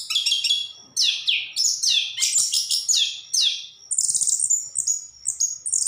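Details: Orange-headed thrush singing energetically: a fast run of bright, varied whistled and chattering phrases, some sliding downward, others high and tinny, broken by short pauses.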